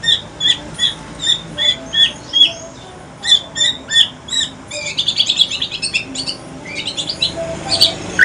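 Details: Aceh shama, male, in the talkative pastol style: a steady series of short, bright chip notes repeated about twice a second, then breaking into rapid, dense, high chattering trills.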